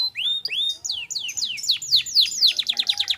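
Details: Canary song, clear-voiced: a few rising whistled slurs, then an accelerating series of sharp descending notes about four per second, ending in a quick rolling trill.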